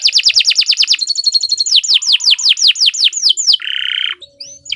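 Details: Canary song for song training: long runs of rapid descending whistled notes, about nine per second, then slower sweeping slurs, ending in a buzzy trill and a brief whistle.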